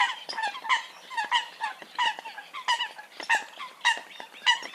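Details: Eurasian coot: short, nasal, yelping notes come at an uneven pace of roughly one and a half per second, some doubled, over a soft background of further chatter.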